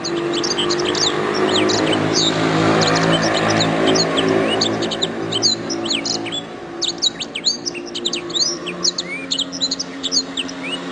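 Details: Canary song for training songbirds: continuous fast, high chirps and swept twitters, masked at first by a loud broadband rushing noise that drops away, leaving the rapid chirping clear.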